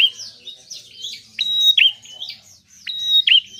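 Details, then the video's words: Bar-winged prinia singing actively, used to encourage unwilling birds to sing: bright chirps lead into level whistles that end in a quick falling hook, two strong phrases close together. "Prenjak gacor penarik burung malas bunyi"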